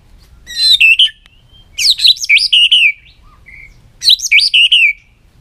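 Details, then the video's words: White-rumped shama with loud, rippling whistled phrases of rapid rising and falling notes, three bursts about two seconds apart. "chòe lửa hót giọng dây dài"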